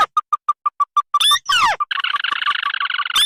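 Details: Lure recording for trapping crakes, combining red and white tikusan calls: a run of short evenly spaced piping notes, then sharp downslurred squeals and a buzzy overlapping churr.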